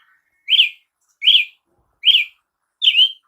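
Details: Four loud, clear Brazilian tanager (tiê-sangue) notes, each a quick upward-then-downward slur, repeated steadily about every 0.8 seconds.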